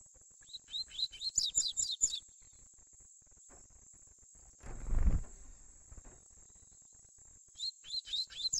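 A young double-collared seedeater gives quick bursts of sharp, down-slurred notes in its 'tui-tui' song, in two short phrases. A steady high hiss runs throughout, with one dull thump.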